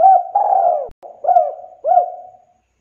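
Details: Spotted dove (derkuku) cooing for a lure recording: a loud, drawn-out first coo sliding downward, followed by two softer coos that rise and fade, all low and mellow.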